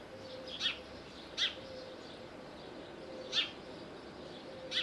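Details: Little owl in Bostonia Village, Corfu, Greece: single sharp, high yelping notes spaced about one to two seconds apart, four in all, with a faint low hum throughout.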